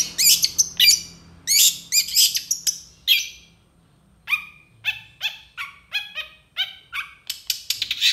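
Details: Long-tailed shrike pouring out varied mimicking song, eager to reply to other shrikes; loud harsh chattering bursts, a silent gap, then a string of clearer downslurred whistled notes and fast chips.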